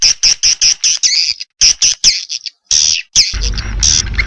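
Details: Edible-nest swiftlet lure call: a rapid series of short, high, chirping twitters repeated in quick pulses, then a longer chattering burst over loud low rumbling noise at the end.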